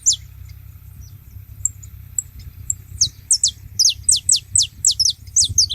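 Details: Saffron finches, several together at a feeding spot: after scattered sharp high ticks, a fast run of about a dozen high, steeply descending whistled notes fills the last half, over a steady low rumble.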